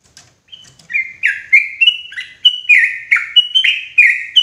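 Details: Sooty-headed bulbul calling loudly and clearly as a forest trapping lure: after faint opening chips, a steady string of around eleven rich, bubbly, warbled notes rolling up and down in quick succession.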